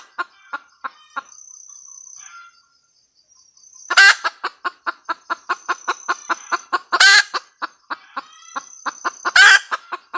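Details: Cackling red junglefowl hen, rapid even clucks punctuated by three loud harsh squawks spaced a few seconds apart after a brief quiet spell; faint high insect drone throughout.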